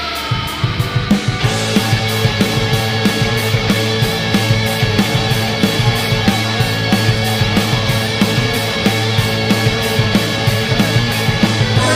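Loud rock music with driving drums, bass and distorted guitar; no animal sounds are heard.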